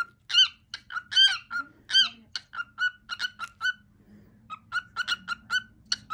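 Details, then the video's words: Favourite cookie song from a pet male cockatiel. It starts with loud swooping whistles, then quick repeated short whistles at one pitch. There is a brief pause before the notes resume, and a low indoor hum runs throughout. "Groot and the cookie song"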